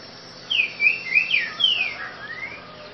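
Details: Green-winged saltator delivering a grego boca mole song: after a brief pause, a rapid string of bright, slurred whistles, some dropping and some rising, tapering into fainter upward-sliding notes against a constant hissing background.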